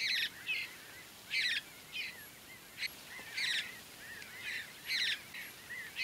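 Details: Mountain Bluebird juveniles, early morning, Great Sand Dunes National Park, Colorado, being fed by a parent: harsh, raspy bursts repeat irregularly about once a second, mixed with softer short chirps.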